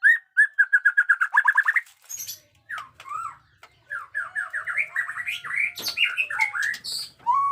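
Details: Caged white-rumped shama, 'jenggot dewa' type, in fighting song with 'batuk koral' and 'muntah beling' styles: a fast run of repeated clipped whistles, then varied chattering, buzzy and whistled phrases.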